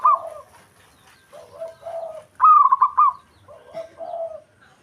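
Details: Local zebra dove from Java in breeding mood, singing to provoke a rival: one loud, rippling, trilled coo phrase, surrounded by softer, lower, drawn-out cooing.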